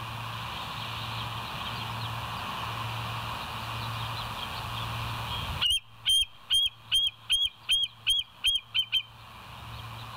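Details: Wild bald eagles at the West End nest, recorded on a live nature cam on 22 July 2023 at 05:06: steady droning hum for five seconds, then about ten sharp, high, arched piping notes in quick succession, roughly two per second.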